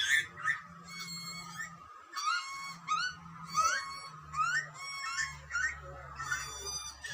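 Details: Baby Australian butcherbirds screaming for food as their parents feed them: harsh, nasal, upslurred squawks in rapid bursts, about one every second, with a faint low hum underneath.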